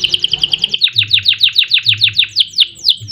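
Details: Canary in an energetic 'gacor' song with rolling phrases: a fast even trill of short notes, then steady repeated downslurred whistles about four per second, clear and high-pitched.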